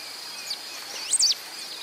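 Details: Pale-throated Pampa-finch (Embernagra longicauda) at Rio Acima, Minas Gerais, Brazil, giving one quick, high, warbled phrase that twists up and down, with faint softer notes around it over a steady high insect hum.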